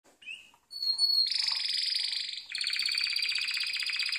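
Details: Harz Roller canary song meant for training: after a faint short note, a clear high whistle, then sustained rapid rolling trills that shift to a lower, broader rattle midway.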